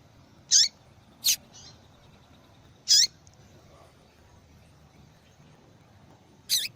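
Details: Repeated calls of a female yellow-bellied seedeater: four short, high, scratchy chirps at irregular intervals, several ending in a dropping flick, plus a softer note in between.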